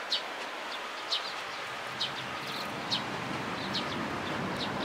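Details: Sparrows gathered at food at a Tenmangu shrine, 11 April 2018; soft high chirps repeat roughly once a second, with fainter calls between, over quiet outdoor background noise.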